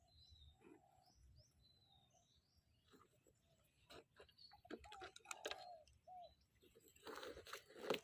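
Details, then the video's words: Spotted dove coos during a morning decoy session to lure wild doves. Soft mellow coo phrases repeat amid high thin calls from other birds, followed by tapping and clattering noises and a burst of rustling near the end. "ต่อนกเขาใหญ่เจ้าหมูป่า เช้านี้จัดเสียงกลางลงเล็ก"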